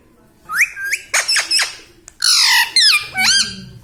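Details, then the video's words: Ringneck parrot kept as a pet talks in harsh, nasal mimicked syllables. Rising and falling squawky words come in quick bursts, with a louder buzzy phrase in the second half and a faint low hum near the end. "Mitthu Mitthu Bolne Wala Batuni Tota - Talking Parrot"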